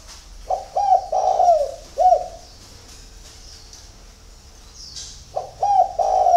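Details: Spotted dove cooing at dawn, a multi-note phrase of short hollow coos ending in a drawn note, a pause, then the phrase beginning again; faint chirps of other birds in the background.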